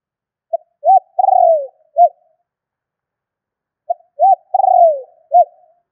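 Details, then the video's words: Spotted dove calling to stir decoy birds and lure others, recorded in 2021: two full phrases about three and a half seconds apart, each a brief note, an arched coo, a long rolling descending coo and a closing arched coo, clean background. "Tiếng chim cu gáy gọi thúc kích bổi nhanh nổi"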